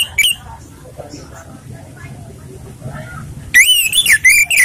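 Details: Lure recording of a relaxed Orange-headed thrush: after a long quiet stretch with one short note at the start, a loud phrase of rapid, ringing whistled slurs bursts in near the end.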